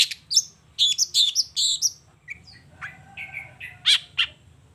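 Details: Long-tailed shrike in energetic morning song, running through its repertoire: a fast cluster of high whistled chirps, then a pause and softer level whistles, closing with two sharp loud notes over low hum.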